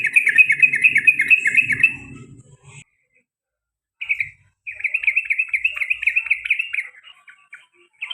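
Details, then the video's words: Caged male sooty-headed bulbul repeating a long rolling 'ropel panjang' phrase, in the 'garuda' style: a rapid chattering burst of about two seconds, silence, then another quick run of repeated notes, with faint low rumbling beneath the first. "CUK CUK CUK TRUCUKAN ROPEL PANJANG DAN GARUDA BER ULANG - ULANG"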